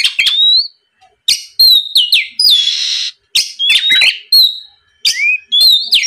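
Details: Oriental magpie-robin lure song aimed at stirring a rival to sing back: short bursts of sweet rising whistles, sharp chips and one harsh buzzy rasp, separated by brief silences.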